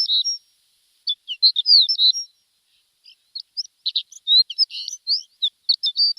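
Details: Javan bush lark song used as a training recording for caged birds: high, varied chirps and short slurred whistles in quick irregular bursts, with a pause of about a second between phrases.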